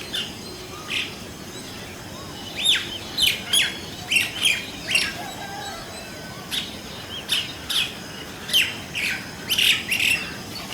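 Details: Group of Indian common mynas calling in various voices: bursts of sharp, chirpy and squeaky notes in irregular clusters, with pauses of a second or two between runs, against a low background hiss.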